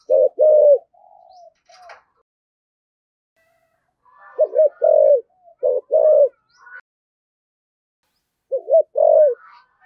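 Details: Spotted dove with a 'thổ sấm' (thunder-earth) voice style, cooing hard: three low, mellow phrases, each a quick double-hump note followed by a longer held coo, with quiet gaps and faint soft chirps in between.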